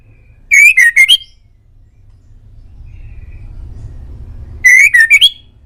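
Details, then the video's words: Male white-rumped shama (murai batu), recorded as a master for pet birds to answer: two tight bursts of quick up-and-down whistles separated by several seconds of quiet. "MASTERAN MURAI"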